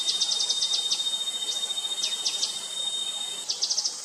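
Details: Grey-headed canary-flycatcher call, quick series of sharp high ticks followed by scattered downslurred notes and a closing short trill, over a constant insect drone.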